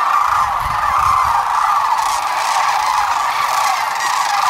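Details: Sandhill cranes at Whitewater Draw, a gathering of about 12,000 birds on February 19, 2021. A dense, continuous wall of overlapping rolling, trumpeting calls from a huge flock, steady throughout.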